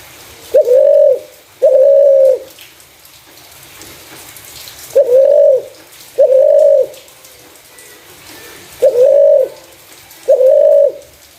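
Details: Clear-voiced spotted dove, used as a lure for other doves, calling six flat, hollow coos grouped in three close pairs separated by long silent gaps, over low steady background noise.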